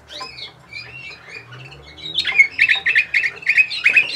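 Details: Bulgarian canary song from Sofia, 2020: gentle gliding whistles sliding downward at first, then after two seconds a loud, rapid string of sharp repeated chirps in steady rhythm.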